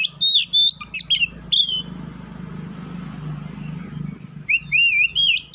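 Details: White-rumped shama song in two bursts of whistles and sharp notes, separated by a stretch of low rumbling background noise.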